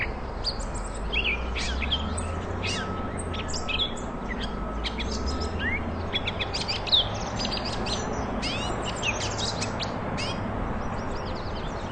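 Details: Catbird singing, offered as tutor song for contest magpie-robins: a rapid, varied stream of short whistled notes, chips and down-slurred sweeps, with steady low rumbling background noise.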